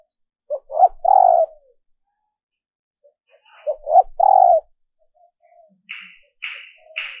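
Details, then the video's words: Female dove giving a lure call to males: two loud three-part coos, each rising in strength to a long final note, then quieter buzzy sounds toward the end. "Tiếng Chim Cu Mái mp3 kích Trống"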